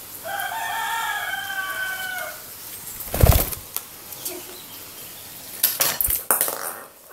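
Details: Tame red-legged partridges calling to one another, apparently to a third bird: a harsh, drawn-out call of about two seconds, followed by thumps, rustling and sharp clicks nearby.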